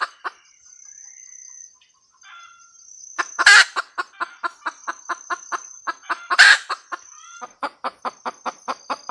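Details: Hen red junglefowl, cackling: after a quiet start with soft faint notes, two loud harsh squawks arrive, each followed by a brisk series of short repeated clucks; a thin high tone persists throughout.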